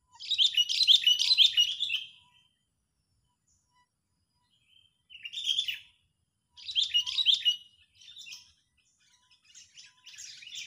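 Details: Agitated Sooty-headed bulbul calling as a trapping lure, meant to provoke rivals: a long scratchy chattering burst, then shorter bursts of rough, jumbled high notes after pauses of a few seconds.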